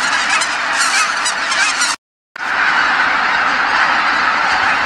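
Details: Returning geese calling en masse as they come back to Kabukuri-numa marsh after sunset; a thick chorus of honking, briefly cut to silence near the two-second mark, then resuming just as dense.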